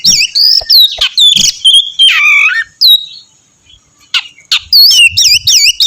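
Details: Actively singing Oriental magpie-robin whose song is meant to set other magpie-robins singing; rapid loud whistles and twisting slurred notes in dense runs, one lower descending warble midway, a short pause, then fast repeated looping phrases.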